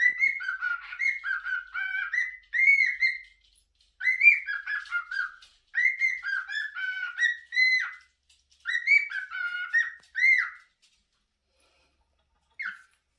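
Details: Pet cockatiel whistling indoors: bursts of clear, tuneful whistled notes that step up and down with bright overtones, delivered in short phrases of a second or two separated by brief pauses, ending with a lone note.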